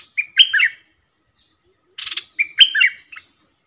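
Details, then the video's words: Decoy bulbul calling to wild birds, giving two bright gurgling phrases of quick rising and falling whistled notes about two seconds apart, separated by a short harsh buzzy rasp. "นกต่อ ร้อง&ริก!!!ใส่นกป่า merbah lekir gacor"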